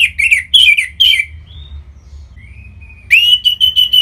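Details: Orange-headed thrush in song, played to prompt other birds to sing, from northern Bali; rich warbled phrases of high whistles and chirps, a pause with thin whistles, then a bright repeated whistled phrase.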